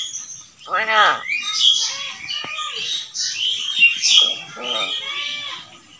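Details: Common hill myna talking, a bird said to speak many kinds of words such as "open the door"; raspy, speech-like phrases with descending harmonic syllables and squawky high notes, separated by short pauses.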